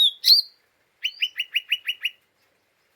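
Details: Lesser green leafbird in an unsettled, chattering 'ngeriwik' mood, used as a provoking lure: a few loud whistled notes, then a run of seven buzzy chattering notes about a sixth of a second apart.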